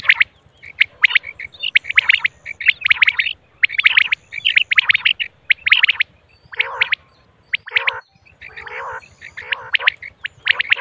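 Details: Female common quail sounds: bursts of sharp, repeated high chirps roughly once a second, some with rougher lower-toned notes. Constant faint low throbbing behind.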